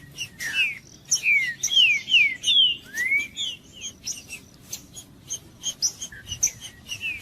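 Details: Green-winged saltator song for warming up a bird that is not singing: a run of loud downward-slurred whistles, then a rising whistle, set among dense high chirping of other birds.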